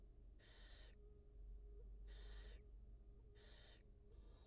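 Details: Barn owl mother, wild, feeding her two newly hatched nestlings; loud rough hisses repeat about once a second, each lasting roughly half a second, over a faint constant hum.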